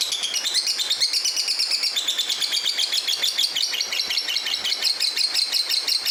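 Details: Nonstop shrill chattering from a fighter lovebird singing hard (gacor), quick squeaky notes repeated several per second with a brief higher phrase near the first second, in a small room.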